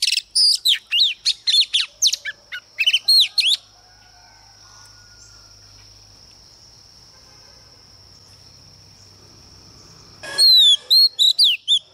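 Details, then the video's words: Lure female Oriental magpie-robin singing to stir up males: a run of quick whistled and trilled notes, then a long pause filled by a steady high-pitched hum, before sweeping whistles resume at the end. "CHOÈ THAN MÁI MỒI HÓT KÍCH TRỐNG ĐỈNH CAO"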